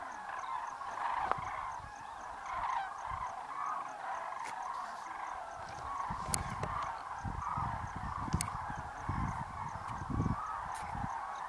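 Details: More than 40,000 Common Cranes taking off for their roost on a winter evening at the Great Rann of Kutch, January 2013; a rolling mass of trumpeting calls swelling and easing, punctuated by sharp clicks and low thudding.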